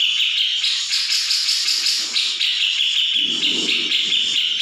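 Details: Grey-cheeked bulbul in a training recording meant to make other birds respond; dense, continuous, buzzy high chatter without pause, with a lower rough rattling layer joining near the end.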